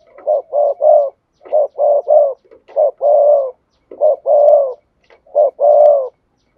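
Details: Spotted dove decoy song from a speaker, clean without background noise: repeated cooing phrases, each of one or two short hoots then a longer rolling coo, about five phrases in steady succession.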